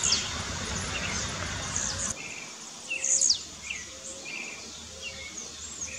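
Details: Rival blue-black grassquits in a dispute in the bush: brief shrill descending notes, a burst of several around the third second, mixed with lower chirps. Low rumbling noise fades after two seconds, with faint whistles and insect hiss behind.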